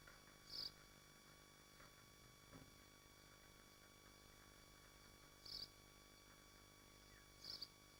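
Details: Nesting swifts in Machynlleth, Dyfi Biosphere, calling at the nest: three isolated thin, high shrieks spread over eight seconds, separated by long quiet gaps with faint low rumble and hum.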